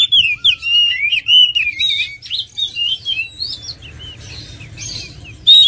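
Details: Oriental magpie-robin song for goading other birds into song: a rich, quick string of whistled trills and slurred notes that thins into sparse, softer phrases with a faint hum beneath.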